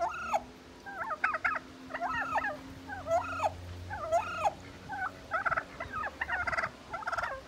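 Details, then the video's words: A bronze turkey hen, upset with a white tom, gives loud, harsh, rapid yelps and squawks in short bursts, about one a second, over a low steady hum. "Hen yelling at white tom"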